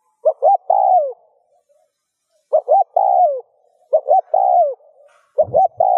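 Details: Spotted dove (cu gáy) cooing, meant to stimulate caged doves to coo: phrases of two short rising notes then a longer falling note, about every 1.5 seconds, four phrases with a soft low thump near the end.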